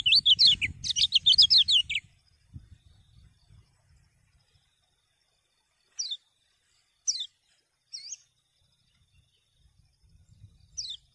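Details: Common iora song intended to stimulate other birds: a two-second burst of rapid repeated descending whistles, followed by four isolated sharp downslurred notes spread over the next several seconds, with low rumbling background noise.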